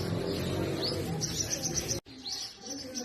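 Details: Spring song of a purple sunbird in forest trees, north-west Pakistan: one high upward-sweeping note, then a fast trill of short high chips, a brief break, and another upsweep leading into more chips.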